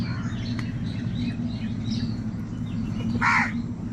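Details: Crow in a morning gathering of many crows: one loud, harsh, rasping caw arrives near the end, preceded by faint scattered chirps of other birds over a steady low rumble.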